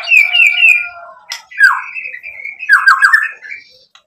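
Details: White-rumped shama song used to provoke rival shamas into singing: clear sustained whistles and a repeated three-note phrase, then a long level whistle broken by harsh squawking bursts, with sharp clicks between phrases.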